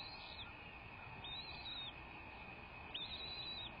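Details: Bald eagle at the nest, recorded by a live nest cam on the morning of February 2, 2024, at 07:19; a few high, thin whistled notes that rise and fall, spaced about a second apart, over faint hiss.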